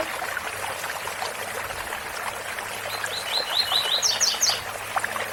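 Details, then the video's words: Double-collared seedeater, tui tui song style, heard late in the clip over loud waterfall noise: a short string of quick chips that climbs into a few higher, sharper notes, lasting about a second. "Coleiro Tui tui bitola com som de cascata"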